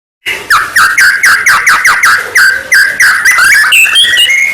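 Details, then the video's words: White-rumped shama song used as a lure to provoke other shamas into singing: rapid repeated downslurred notes near four per second, loud and rich, with bright higher whistles layered above, continuous throughout. "murai batu gacor AMPUH buat PANCINGAN murai batu agar bunyi"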